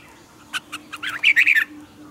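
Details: Morning song of a red-whiskered bulbul, a lure-bird training recording with tight twisting double notes: two short chirps, then one quick, loud, warbling phrase of several rapid rising and falling notes.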